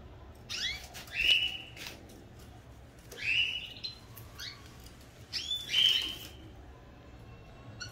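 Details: Domestic canaries singing energetically before their pairs are separated: three bursts about two seconds apart, each a quick chirp followed by a bright sustained whistled note, separated by softer chirps over a low hum.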